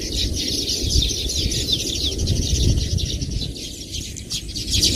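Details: Many Baya weavers chirp and sizzle at once, a dense high twittering wall of sound with soft low background noise.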